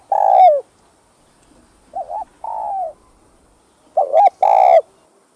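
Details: Cooing spotted dove, meant to stir decoy birds into calling; a long falling coo, a pause, then a brief doubled note leading into a steady drawn-out coo, repeated twice.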